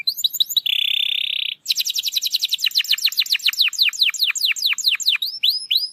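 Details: Canary song played to provoke a quiet canary into singing: a buzzy trill, then rapid repeated downward-sweeping whistled notes speeding into fast series, ending in short rising upslurred whistles.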